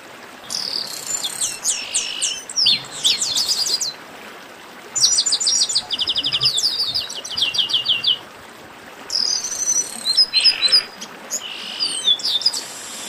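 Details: Chestnut-capped blackbirds in a noisy commotion: bursts of high, sharp whistled chirps and rapid descending trill runs, several overlapping phrases with short quiet gaps between, repeated over about thirteen seconds.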